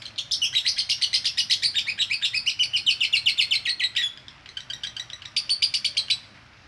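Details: Rapid konslet chattering from a female lovebird for training: a four-second run of harsh, buzzy chirps, a short dip, then two more brief bursts of fast notes.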